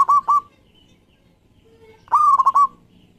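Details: Singing local zebra dove recorded as lure sound for other doves: the tail of one phrase, a pause, then a full warbling coo broken into several quick pulses.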